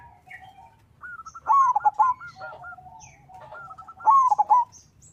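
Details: Zebra dove, a local bird, singing to draw rivals and make other doves sing: two phrases about three seconds apart, each a string of short staccato notes running into loud, trilled coos.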